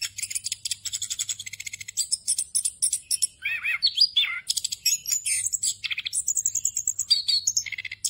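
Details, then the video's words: An orange-headed thrush delivers its ngerol song, packed with filler phrases and used for training other songbirds. Rapid high rattling trills are broken midway by lower, fuller warbled notes, then more fast chatter and whistled slurs follow. "ANIS KEMBANG NGEROL FULL ISIAN EFEKTIF UNTUK MASTERAN ANIS KEMBANG BAHAN AGAR CEPAT GACOR"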